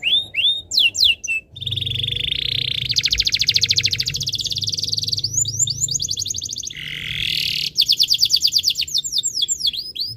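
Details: Canary tutor song intended to make other canaries sing: whistled sweeps, long rattling trills at two pitches, a low buzzy slur, then more fast sweeps and trills.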